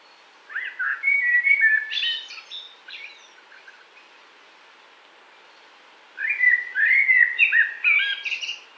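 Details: Spring woodland song of a common blackbird, 2017: two rich warbling phrases of mellow whistles, each ending in a thin squeaky twitter, separated by a few seconds of quiet.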